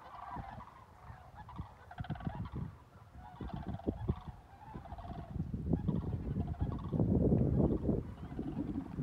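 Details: Flock of geese flying over Avon, Indiana, on February 3, 2020, a 59-degree day, heard from a walk; many overlapping mid-pitched honks in a steady chorus, with low rumbling wind and handling noise, louder toward the end.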